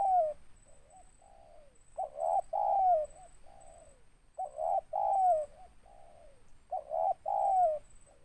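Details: Tekukur, the spotted dove, giving its large-voiced call: soft lead-in coos, then paired loud hollow notes ending in a falling slur, repeated three times over eight seconds.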